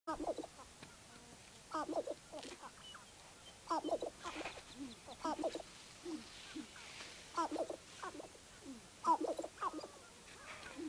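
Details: Sharp-tailed grouse at Baudette, Minnesota: several birds give short clucking, hoarse notes in bursts roughly every one to two seconds. The notes are mid-pitched and ragged, and quiet gaps fall between the bursts.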